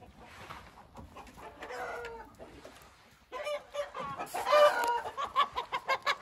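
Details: A Hint rooster gives a mid-clip crow, then a louder burst of crowing and rhythmic clucking pulses near the end.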